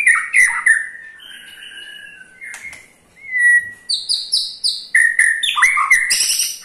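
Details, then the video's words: Shama ketrekan, a call to make other white-rumped shamas sing: slurred whistles and a pure steady tone, then a quick series of high, repeated, evenly spaced notes mixed with lower chips. "KETREKAN SAKTI!! || MURAI BATU MANAPUN PASTI TIDA MAU DIAM IKUT GACOR"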